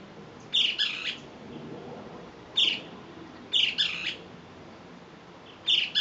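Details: Great kiskadee (Pitangus sulphuratus) calling to its companions, giving strident, raspy bursts, some doubled, at irregular intervals of one to two seconds against a constant low hiss.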